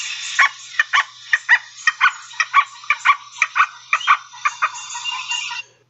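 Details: Red-bellied Woodpecker giving the wacka wacka interaction call, used when two woodpeckers meet on a tree and interact: a steady run of about fifteen nasal, clipped notes, roughly three per second, over faint hiss.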